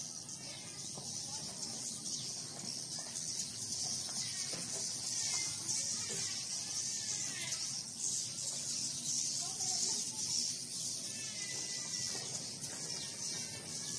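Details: Many swiftlets inside a swiftlet house, reported as the busiest day since its renovation, give dense, continuous high chirps and twitters, with a steady low hum underneath.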